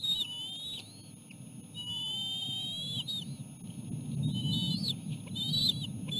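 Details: Osprey at a nest with three chicks being fed a small fish by the adult male and female: thin, high whistled notes in short runs, some drawn out and level, over a constant low rumbling background.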